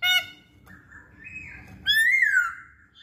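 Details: Masked laughingthrush singing as a lure for other songbirds: a brief harsh note, a long level whistle, then a loud slurred whistle that rises and slowly falls.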